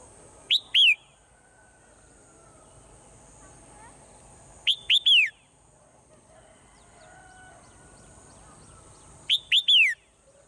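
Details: Morning song of a swallow: short bursts of two or three sharp, downslurred whistles, repeated about every four seconds, with quiet background between bursts.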